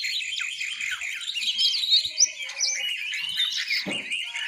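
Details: Juvenile oriental magpie-robin learning to sing, ngiriwik style, gives a dense, breathless run of high twittering and chattering warble, with one brief low knock near the end.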